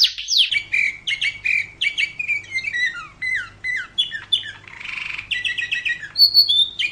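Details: Canary singing on a training recording for other birds: varied whistled and warbled phrases, short rising and falling notes in quick succession, a brief harsh rasping burst midway, then sharp high chips, with a low hum in the background.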